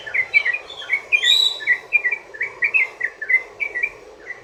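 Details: Sooty-headed bulbul in rapid ropel song for luring other bulbuls to sing: bubbly, liquid two-part notes repeated several times a second, one higher sweeping note early on, over mild hiss.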